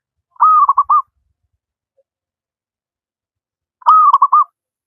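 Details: Local wild zebra dove singing freely, used to coax reluctant captive doves into song: two soft cooing phrases, a drawn-out note followed by rapid trilled stutters, over three seconds apart in quiet surroundings.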